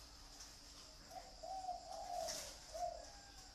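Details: Captive zebra dove at a bird farm in Ba Vì, Hanoi, Vietnam, giving a soft, low cooing phrase of a few rolling notes over about two seconds, with a faint steady high hiss in the background.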